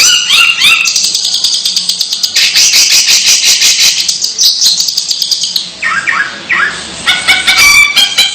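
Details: Long-tailed shrike giving strange calls: loud harsh rattling chatter, rapid repeated clicks and buzzy notes mixed with short rising whistles and thin tonal chirps, busy and irregular.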